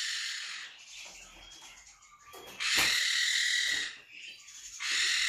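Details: Monk parakeet calling with a long, rasping screech that swells and fades, followed by another loud grating burst after a short pause.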